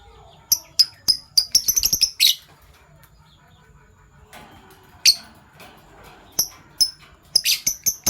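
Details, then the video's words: Fischer's lovebirds of PB Violet and Euwing Gold Opaline colouring, chirping in the morning: quick trains of piercing high chirps in two bursts, separated by a quieter stretch with a single sharp call. "Lovebird Chirping Sounds - PB Violet Fischer & Euwing Gold Opaline Fischer"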